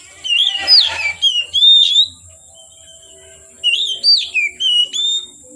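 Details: Oriental magpie-robin singing in the afternoon through dusk: rich phrases of bright whistles and short slurred notes, one rough burst early on, then a pause and a fresh run of rising and falling whistles.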